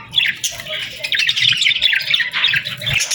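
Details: Evening chorus at sunset in summer: a continuous wash of high, squawky chirping from many birds, dense and unbroken for the whole stretch.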